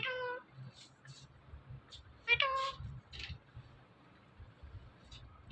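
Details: Pet talking parrot, one of two in a compilation of talking Indian ringneck parrots: two short nasal, harmonic cat-like calls, one at the start and a louder one after two seconds, with soft clicks and low room noise between.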